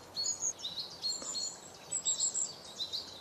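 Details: Singing long-tailed tit giving thin, very high-pitched twittering notes in small clusters, including a short trill-like burst near the two-second mark, with soft hissing background noise throughout.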